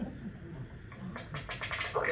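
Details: Male Ruddy Duck giving a quick run of dry ticking taps ending in a soft, belching note, the odd noises males make while head-bobbing in display with tail cocked up; a person talks at the start.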